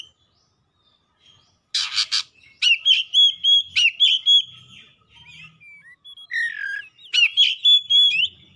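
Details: Oriental magpie-robin singing vigorously and excitedly, unloading its repertoire: a harsh rasping burst, then a run of clear whistled notes near one steady pitch with upward flicks, later a lower slurred phrase and more bright whistles.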